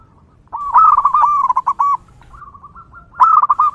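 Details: Wild local zebra dove in lively song, used as a lure for others of its kind: after a quiet start comes a fast, warbling series of soft cooing notes, a faint held tone, then a fresh rattling phrase.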